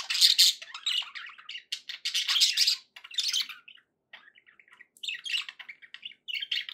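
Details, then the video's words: Happy budgies producing loud raspy squawks and warbling chatter in bursts, with a quieter stretch of small twittering notes in the middle. "happy budgie sounds"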